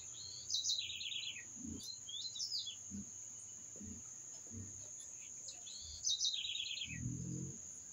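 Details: Two identical bird phrases six seconds apart, each a quick high burst and a descending rattling trill, with soft irregular low knocks in between and a steady high whine behind.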